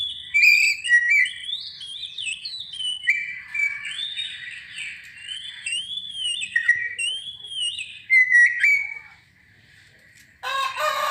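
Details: Oriental magpie-robin singing to provoke other birds: varied sweet whistles and upward-arching slurred notes, mostly steady, then a pause and a brief harsh noisy burst at the end.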